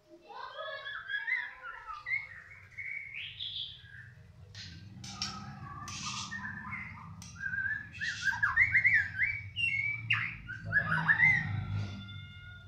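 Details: White-rumped shama, a former contest-winning bird described as balak 6, sings a rich, varied run of clear whistled and warbling phrases that rise and fall with quick note changes, over a steady low rumbling hum.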